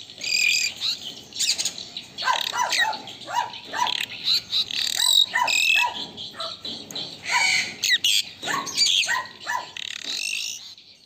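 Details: Asian pied starling singing energetically as master training song: scratchy chattering phrases, repeated clipped downslurred notes and occasional thin whistles, loud bursts separated by short gaps, continuing steadily throughout.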